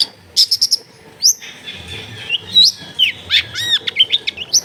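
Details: Long-tailed shrike tutor song recorded at a house in a densely populated area. A varied run of high whistles, quick trills and sliding notes follows in rapid succession against a quiet background.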